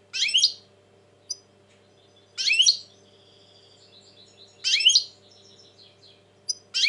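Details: European goldfinch described as tense in 2020 giving loud twittering bursts every two seconds or so, each followed by soft, quiet warbling notes, over a faint low hum.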